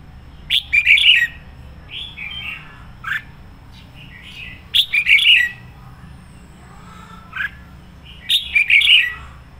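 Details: Red-whiskered bulbul kept as a decoy, singing the energetic 'sổ bọng' song. Loud rippling phrases of clustered notes repeat about every four seconds, separated by shorter single whistles, over a faint low background hum.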